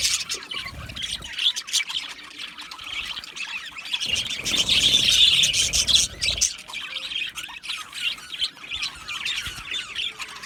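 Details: Budgerigars chirping, a sound made when content or communicating with each other: dense, overlapping high chatter of many birds, swelling louder around the middle and continuing unbroken throughout.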